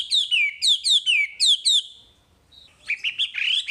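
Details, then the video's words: Wambi tutor recording: four loud, evenly spaced descending whistles, each sliding down into a drawn-out tone, then after a pause a softer run of quick, wavering chirps. "Masteran Wambi paling istimewa full materi"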